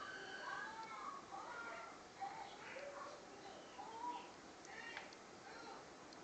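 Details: A blue-and-yellow macaw being hand-fed gives a steady run of nasal, wavering calls, rising and falling, with a person's voice speaking softly in the background.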